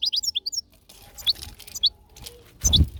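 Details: European goldfinch giving a few short, high chirping notes in quick clusters, then a pause, one or two more chirps, and a brief low rustling thump near the end.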